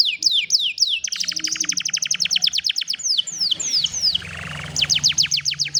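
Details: Cellphone recording of a canary singing to coach a lazy canary: rapid repeated downslurred whistles forming trills, a buzzy stretch midway, then more fast trills, over a steady low hum.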